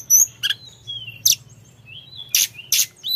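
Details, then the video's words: Sunda forktail singing actively: sparse high whistles and sharp chipping notes, with a thin sliding whistle between bursts, over a faint low hum. "Tledekan Gacor Dorrrr"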